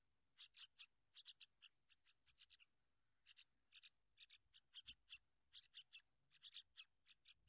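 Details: Sooty-headed bulbul protecting its young: clusters of sharp, rasping chatter notes repeated in uneven bursts, with a short quiet gap in the middle before the chattering resumes.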